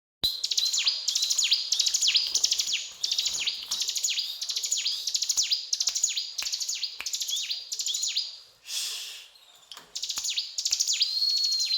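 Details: Mountain tailorbird singing in the 'gacor cetrakan' style: rapid bursts of high, clicking notes ending in downward-sweeping whistles, repeated about every three-quarters of a second, with a drawn-out level whistle near the end and a brief noisy gap.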